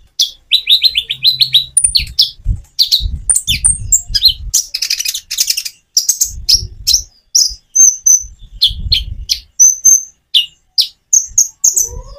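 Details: Common iora song with natural pauses to prompt other birds to sing. A long, busy series of high chirps, trills and short whistles, with low muffled knocks in the background.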